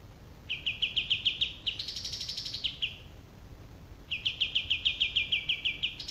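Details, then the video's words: Olive-winged bulbul, a male, delivers two runs of quick, evenly spaced clipped notes at a steady pitch, broken in the middle by a higher, drawn-out buzzy phrase. "male olive-winged bulbul"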